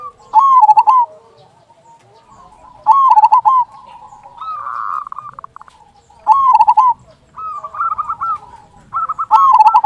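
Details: Local zebra dove singing actively with a big "kung" voice, used as a lure to make other zebra doves sing: loud warbling coo phrases with a rolling trill, repeated about every three seconds, softer coos between.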